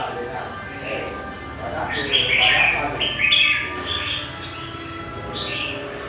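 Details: Wild-caught red-whiskered bulbul, three months in a cage, a big-bodied bird described as very quick to sing: bright chirpy phrases of short rising and falling notes in a brief burst, with a man's voice and faint background noise.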